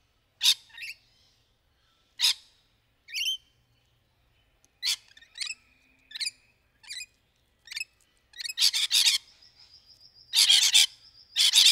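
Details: Wild rainbow lorikeets playing in trees while courting give short grating screeches spaced a second or so apart. They build into a dense, loud burst of squawks, with a thin sustained whistle running beneath near the end.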